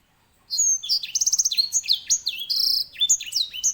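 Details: Loud, varied song of an edel sanger (grey singing finch), a tutor bird for canaries in Indonesia: rapid trills, sweeping slurred whistles and short buzzy stretches in one continuous run.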